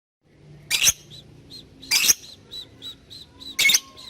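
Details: Lovebird giving ngetik calls to summon a partner and prompt long chattering (ngekek), used as training audio for young birds: three loud harsh shrieks about 1.4 seconds apart, with thin high chips repeating in between.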